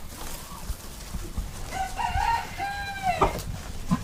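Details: Chicken calling in a toddler farm animal sounds lesson: a few drawn-out, slightly wavering tonal notes near the middle of the recording, set against a steady rumbling, noisy farmyard background.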